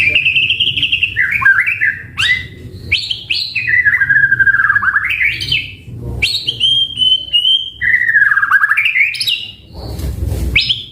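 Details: White-rumped shama in sustained, varied song on a training and lure recording: fluty whistles, rapid rising flourishes and long trilled warbles, with a short noisy burst near the end.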